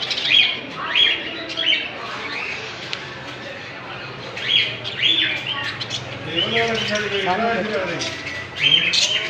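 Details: Small Australian parrots calling together: scattered chirps and short squawks in irregular bursts, with a brief low, wavering murmur mid-recording and soft background hum.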